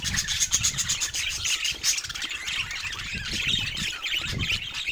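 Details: Budgerigars kept as pets, busy with toys, give a steady stream of quick high twittering chirps, about four per second, blending into continuous chatter over faint low rustling.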